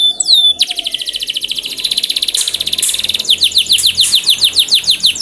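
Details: Canary song played as a lure to prompt other canaries to sing: rapid, dense rolled trills of high buzzy notes pulsing several times a second, then a series of sharp rising-falling whistled notes repeated quickly.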